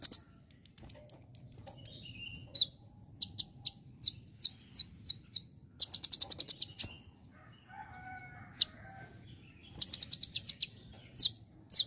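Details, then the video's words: Konin songbird in strong singing form, imitating the song of the bar-winged prinia (ciblek): loud, high, sharp chip notes in fast bursts and trills, with a few lower buzzy phrases between them and a faint low hum behind. "Konin Dahit Gacor Nembak Ciblek"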